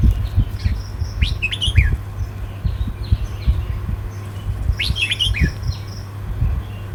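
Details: Red-whiskered bulbul singing in the southern Thai 'counting flowers' style: two short bursts of bright, warbled notes swooping between mid and high pitch, a few seconds apart, over a steady low hum and rumbling background noise.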